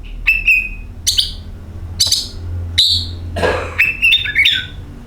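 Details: Oriental magpie-robin singing as a lure for other birds: separated bright whistled phrases, then a scratchy burst followed by stepped, rising and falling whistles, with faint low rumble.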